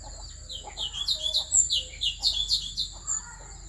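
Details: Asian fairy-bluebird, Central Highlands forest of Vietnam, singing to excite rival birds: a continuous string of quick, liquid upward-flicked notes, fairly soft, over a faint constant high tone and low hum.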